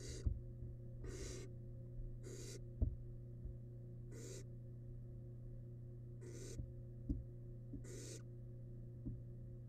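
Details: Wild barn owl nestling in a monitored nest box, devouring large rabbit remains: six harsh, hissing snore-like bursts at uneven gaps of about one to two seconds, over a steady low electrical hum with faint clicks and knocks.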